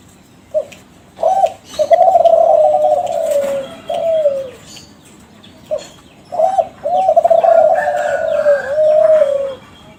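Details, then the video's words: Young captive Kelantan zebra dove from a champion contest line, singing a lure to set other doves calling. Two repeated phrases, each with short hooked notes, then fast pulsing coos stretching into long notes that bend downward. "SUARA DERKUKU KELANTAN TRAH JUARA PANCINGAN"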